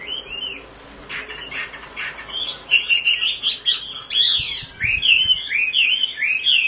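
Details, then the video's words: Oriental magpie-robin, a local mini type with a female calling a male: a rapid series of bright whistled notes and looping slurred phrases, starting sparse and then becoming continuous, with faint background noise. "kompilasi suara wambi gacor komplit"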